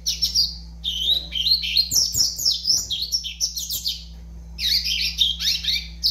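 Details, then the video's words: Young double-collared seedeater, five months old, in captivity, singing a dense run of high, rapid twittering and warbled notes in quick bursts, with a steady low electrical hum behind. "FILHOTE DE COLEIRO AVAX 5 MESES DE VIDA"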